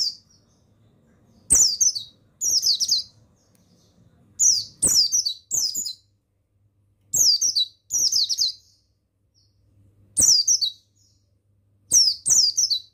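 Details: Mountain white-eye, male buxtoni form, singing to encourage other birds to sing; high chattering twitters in pairs, each half a second, repeated at intervals of about two seconds, with soft ticks.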